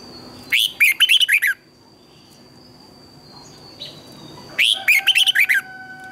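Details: Red-whiskered bulbul in full morning song, recorded as a tutor for training birds: two lively phrases of six clear warbling notes swooping up and down, separated by roughly three seconds of quiet with a faint constant whine.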